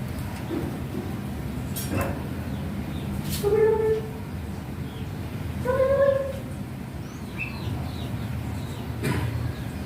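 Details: A captive Javan myna, trained by its owner to say "kopi" (coffee) and to cough, gives two drawn-out, voice-like syllables several seconds apart, mimicking a spoken word, between a few sharp clicks over a steady low hum.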